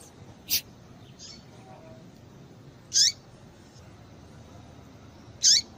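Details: Female double-collared seedeater giving calls meant to excite the male: isolated thin, high, downward-slurred chirps spaced a few seconds apart, with a faint soft note between them and low background hiss.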